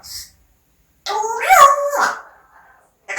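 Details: A pet parrot talking indoors: a drawn-out, voice-like phrase with stacked harmonic bands that bend and glide for about a second, framed by a short hiss-like sound at the start and end.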